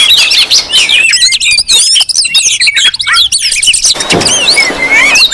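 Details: Oriental magpie-robins calling in a raucous group to lure others: dense clusters of quick looping whistles and chirps, rhythmic bursts in the middle, then scattered sweeping notes.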